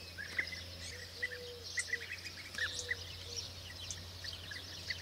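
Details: European bee-eaters at the start of their 2024 season give short rolling, liquid calls that come and go over five seconds. A few low drawn-out tones and a steady low hum lie underneath.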